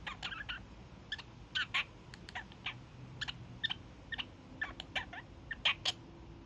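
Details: Evening honking from a young male pet kakariki, a daily habit: scattered short, harsh, nasal honk notes at uneven intervals, some in quick pairs, fairly soft against a steady low hum.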